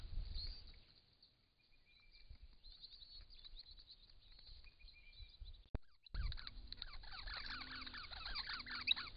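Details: Wild Australian Common Bronzewing filmed by camera trap during displays, giving short deep 'oom' notes repeated about once a second in the latter half, with higher chirping from other birds and a sharp click partway through.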